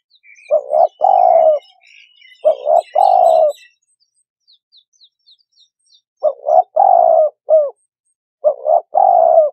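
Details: Turtle dove giving soft, low purring coos in phrases of two or three, repeated every few seconds, with faint high chirps of small birds behind.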